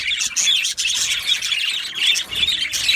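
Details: Short burst of yellow male budgerigar chatter from an aviary: bright chirps and a few clear whistled notes over scratchy warbling from several birds together.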